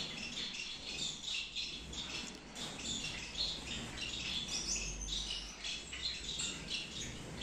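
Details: In a Peshawar breeding aviary, Gouldian finches keep up rapid, thin, high-pitched chirping from several birds, an unbroken overlapping twitter.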